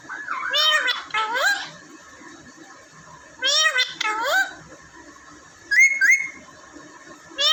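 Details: Pet talking parrots kept indoors in Pakistan: clusters of wavering harmonic phrases resembling chattered speech, two groups early, a pair of brief rising whistles later, and a final burst.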